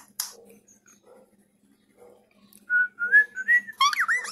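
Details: A young cockatiel chick being taught to sing: clear whistled notes rising and stepping in pitch, ending in a burst of richer, warbling cockatiel whistles.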